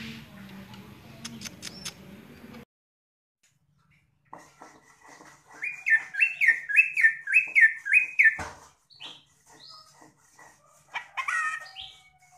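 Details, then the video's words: Greater green leafbird (cucak ijo) delivering a run of five or six evenly spaced, loud whistled notes, each swooping upward, followed by scattered sharp chirps; a brief murmur of background noise opens the recording. "kicau CUCAK IJO"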